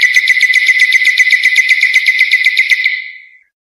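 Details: European goldfinch song, recorded for tutoring young birds: a fast, even rattling trill of about four notes per second on one steady pitch, fading out after three seconds.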